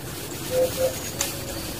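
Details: A barbet with its young in the wild gives two short, low hooted notes in quick succession over a steady outdoor hiss, with a faint high click afterward.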